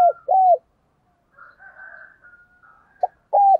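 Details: Spotted dove used as a lure bird, thổ-style voice, giving short hollow coos that drop at the end, with a faint breathy murmur between them.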